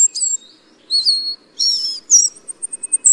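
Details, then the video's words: High, thin whistles and a descending slurred note from Tristram's bunting, followed by a rough buzzy phrase and a quickening string of short high ticks, with a faint low hum in the background. "白眉鵐/Tristram's Bunting"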